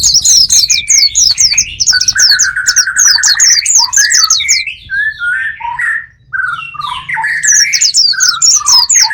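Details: A lure for wild birds: rapid high chirps repeated in fast bursts over a lower steady trill, then a run of varied falling whistles. The fast chirping returns near the end.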